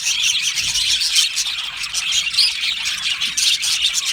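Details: Australian budgies singing in an aviary colony: continuous high chirping chatter with a few clear whistled notes rising briefly above the twittering mass.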